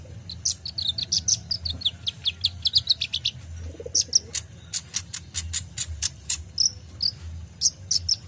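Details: Kolibri ninja, the purple-throated sunbird, giving lively full-content song used as tutor material for cage birds: dense high twittering, then a fast series of clipped, evenly spaced high chips, with low background rumble.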